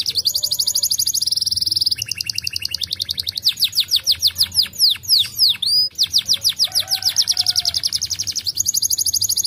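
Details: Canary song played to stimulate other birds to sing: very rapid buzzy trills shifting into slower, sweeping whistled notes, then back to fast rolling trills, loud and continuous throughout.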